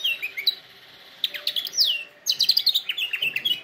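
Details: Canary singing for canary training, with a few scattered chirps, a quiet stretch, then a bright downward-sweeping whistle and a fast series of clipped high chirps.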